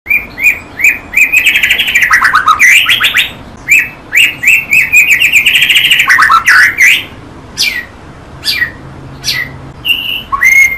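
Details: White-rumped shama song, clearly recorded: loud whistled phrases with rapid buzzy trills and sweeping descending slurs, delivered in fast runs about four notes a second, with short pauses and sharp high chips toward the end.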